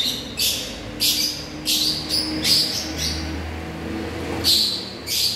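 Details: African lovebirds calling, with shrill, harsh high chirps in short bursts roughly once a second over a steady low rumble of traffic.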